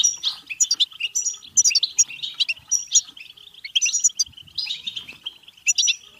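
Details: Goldfinch song for stimulating singing, mating and arousal: a lively stream of sweet, tinkling twitters and thin whistles, with occasional buzzy trills woven into the rapid chatter.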